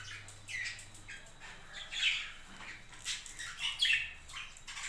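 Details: Budgerigars on a budgie farm giving harsh squawky calls, several short raspy notes spaced about a second apart, alongside a faint low hum.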